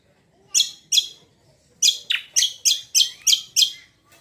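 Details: ['Leafbird sound meant to draw other birds into singing: loud, sharp high notes, two spaced apart, then a quick run of six evenly repeated chirps.']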